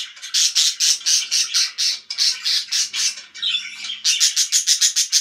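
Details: Pet budgies making loud, rapid, harsh chirps repeated about twice a second in steady pulses, with a brief warbled squeaky phrase in the middle.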